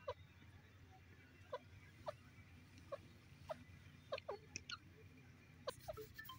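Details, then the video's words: A grey francolin (teetar) in Punjab, Pakistan, gives short, sharp, squeaky notes at irregular intervals of roughly half a second to a second, over a steady low rumble of background noise. "teetar sounds"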